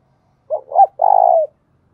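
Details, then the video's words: A decoy spotted dove for luring wild birds utters a single coo phrase of two brief notes followed by a sustained, purring low coo, against a quiet background. "chim cu mồi gáy hay dùng kích bổi rất hiệu quả"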